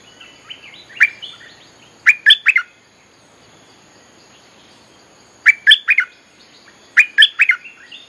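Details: Bulbul lure song for attracting wild birds, repeated bursts of three or four rich, gurgling notes separated by pauses of a few seconds, with softer chirps between phrases.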